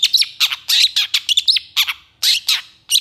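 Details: Long-tailed shrike in full, energetic, excited song with long bursts: rapid, scratchy, buzzy notes with thin whistled glints, delivered in uneven clusters, with short gaps between phrases.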